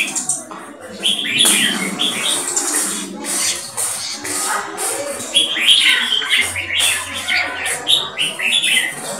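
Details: Four-year-old purebred Thai red-whiskered bulbul kept as a competition bird, known for loud clear keke calls and an open tail display; bright chattering notes repeat through the clip over a busy background of voices and other bird chirps.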